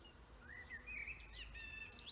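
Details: Wild birds singing in a forest: a thin whistled line that rises and wavers, with soft chirps above it and a faint low background hum.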